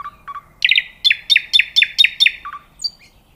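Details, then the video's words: Nightingale song: a couple of short low notes, then a run of seven loud, sharply repeated slurred notes at a steady quick pace, ending with softer lower chirps and a faint high whistle; otherwise quiet background. "صوت العندليب وجمال الطبيعة🤩Nightingale Sound and Nature Beauty"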